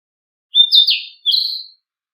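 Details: Narcissus flycatcher singing, two clear whistled phrases: a slurred, warbling first phrase, then a brief gap and a second sliding whistle, with no other sounds.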